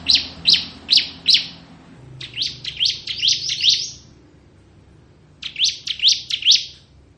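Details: Bar-winged prinia, ciblek kristal, kept to tutor magpie-robins: bursts of sharp high chips, some uneven and clustered, repeated in three groups with a low hum behind.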